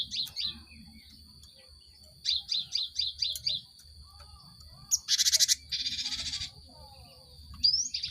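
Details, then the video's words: Cinereous tit song used as a lure to make caged birds start singing. Quick runs of clipped, high whistled notes, two rapid series of about five, then a loud harsh buzzy burst and a rasping trill. A steady thin high tone runs underneath. "Pancingan gelatik batu untuk merangsang burung ombyokan cepat bunyi"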